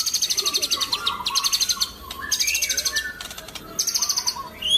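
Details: White-rumped shama (murai batu) in full song: rapid bursts of high, fast-repeated chattering notes mixed with clear whistled phrases, in energetic repeated runs with brief pauses between them.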